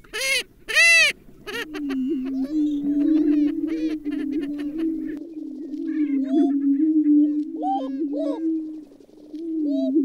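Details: Great steppe grouse: a few loud nasal cackles open, then a continuous low, steady hum persists with short rising hoots and faint chatter over it.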